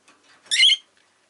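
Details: Pet rosy-faced lovebird gives one short, harsh, buzzy squawk of about a third of a second. The squawk is high-pitched and rich, with faint soft chatter before it.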